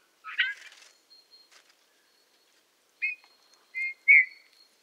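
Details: Eurasian bullfinch (Pyrrhula pyrrhula) song, Tula Zaseki forests, Tula Oblast, Russia, 18 March 2015: soft, piping whistles and a few creaky notes, with a steady faint high tone running underneath.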